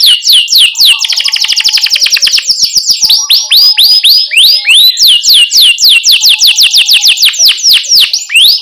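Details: Canary in strong, nonstop song used as a tutor for young canaries: fast chirping roll early on, then steady repeated sweeping downslurred whistles.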